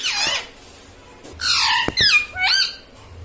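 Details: Pet talking parrot in a small room, said to say mummy and papa: a falling squawk, a pause, then harsh broad squawks and a quick upward-hooked whistle with sharp taps.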